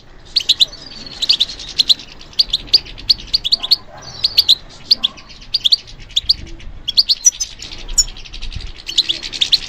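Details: European goldfinch, responding to stimulation, sings in bursts of rapid, high, twittering chirps separated by short pauses, clean quiet background.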